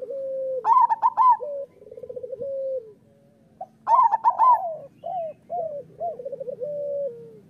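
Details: Zebra dove song from local birds, played to encourage other doves to sing: two loud clusters of high clipped coos, each trailing into softer descending rolled trills.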